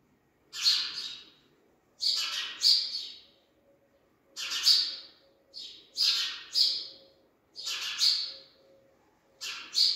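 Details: Three newborn sparrow chicks give harsh, raspy chirping bursts in quick clusters, repeating roughly every one and a half to two seconds, with a faint low hum beneath.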